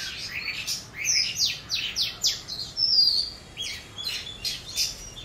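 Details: Juvenile Oriental magpie-robin learning to sing, producing a rapid jumble of high, clipped chirps and short downward-sweeping whistles, with one clearer sustained whistled note near the middle; steady faint hiss underneath.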